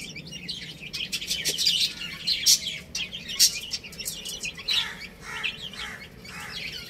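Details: Adorable baby chicks playing and eating, irregular high chirps and peeps, bursts of loud shrill notes mixed with softer overlapping calls.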